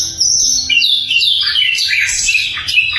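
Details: Sikatan londo flycatcher song, loud and very clear, used for training songbirds: rapid high twittering with quick slurred whistles tumbling downward.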